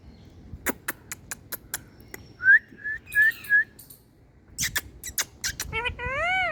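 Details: An Indian ringneck parakeet produces sharp clicks, a few short rising whistles, and then a speech-like harmonic phrase with wavering tones near the end, in a quiet indoor setting.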